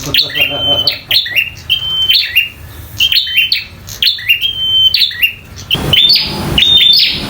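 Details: Local wild-type bar-winged prinia in fighting mode, an energetic singer; loud repeated phrases of sharp chips followed by a long thin high whistle, about one phrase a second, with a low background hum.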